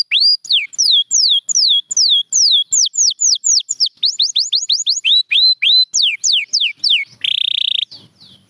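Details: Champion canary singing for training: repeated falling and rising whistled notes about three per second, a run of quick upslurs, then a buzzy rattling phrase before the song fades.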